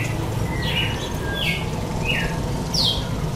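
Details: Male red-cowled cardinal singing in the face-to-face 'canta de cara' style: a few short clear chirped notes, each sliding across mid-high pitch, spaced about half a second apart over steady low background hum.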